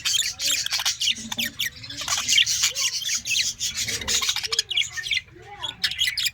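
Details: Colony of Australian parrots giving dense, overlapping chatter: high buzzy chirps with low warbling notes beneath, plus rasping scratchy noise throughout.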